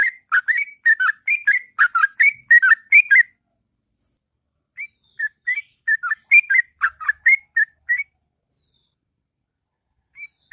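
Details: Morning song of a sooty-headed bulbul, a long sweet ngropel phrase: a fast chattering run of warbled, whistled notes for about three seconds, a pause, then a second looser burst of chirps and a final lone note.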